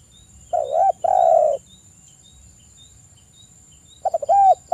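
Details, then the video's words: Local male spotted doves calling a rival and answering, 'kuk 1' cooing: a wavering coo joined to a long mellow coo, a pause of over two seconds, then stuttered notes leading into an arched coo, with faint steady hiss. "Suara Tekukur kuk 1 manggung gacor manggil lawan, TEKUKUR LOKAL Jantan pada nyaut"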